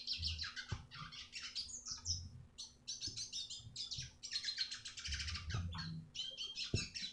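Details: A red siskin's song, recorded as masteran to train other birds, pours out in quick, jangling twitters and buzzes in several bursts, with occasional low knocks beneath.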